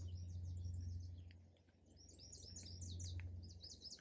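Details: Several birds singing and chirping in a park: dense, quick high twittering notes overlapping throughout, with a steady low rumble underneath.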